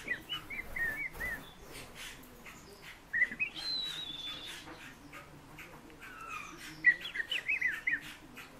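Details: Fieldfare singing: squeaky, warbled whistled phrases around two to four kilohertz in short bursts separated by pauses, with a long thin high whistle in the middle and a busy chattering run near the end.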